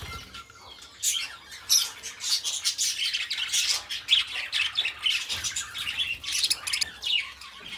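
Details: Companion budgies singing and chattering nonstop, a busy mix of scratchy squawks, rapid ticking chirps and short whistles in loud bursts throughout.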